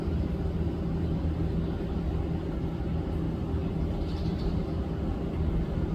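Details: Heavy low vehicle rumble dominates throughout, with no animal sound standing out.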